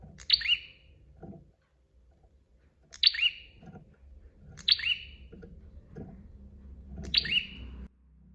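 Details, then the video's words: Persistent bar-winged prinia song from a master recording: four loud, piercing chirps, each a fast falling two-part note, arriving at uneven gaps of one to three seconds, with faint low knocks and hum underneath. "KICAUAN SUARA PRENJAK GACOR DOR"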